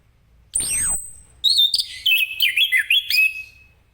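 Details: Orange-headed thrush singing in ngeplong style in the morning to prompt other birds to sing; a sharp sweeping high note first, then a run of rapid whistled, warbling notes that rise and dip.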